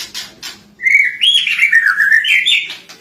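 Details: A lovebird's filler song modelled on cililin: a continuous loud warbled chatter that wavers up and down, climbing higher toward the end after a few soft opening chirps.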